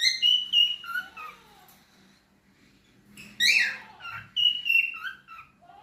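A cockatiel gives bright, warbling whistles that slide up and down, in two bursts with a pause between.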